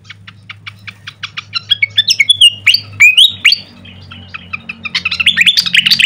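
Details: Songbird training recording of a pied fantail: a run of evenly spaced short clicks accelerates into sharp, sliding whistles and squeaky notes, ending in a fast jumbled chatter; a low hum sits underneath.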